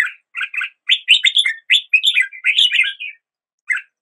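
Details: Continuous chattering song of a red-whiskered bulbul, dense run of warbled, slurred whistles rising and dipping, phrases nearly back to back, then a short gap and one final note; quiet, clear background.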